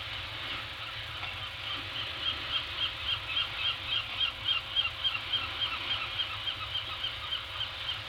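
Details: Peregrine falcon from a family nesting just outside a cave on remote Anacapa Island, California, gives a fast, even run of harsh, high calls, three or four per second, over steady low wind rush; morning, 20 July 2018.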